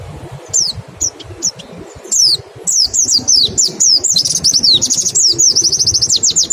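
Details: Lure recording of a white-eye's 'nembak' singing: a few isolated thin downslurred whistles build into a fast, nearly continuous chain of high swooping notes, ending in a rapid trill-like series.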